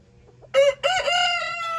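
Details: Mini Serama rooster crowing while courting his hen on a small farm: a short harsh note, brief break, then a long steady harmonic-rich crow held about a second, loud and close.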